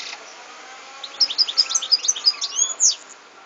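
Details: Song of a European goldfinch, recorded in 2014: a quick run of high, liquid twittering notes ending in a bright rising-and-falling whistle, over soft background hiss.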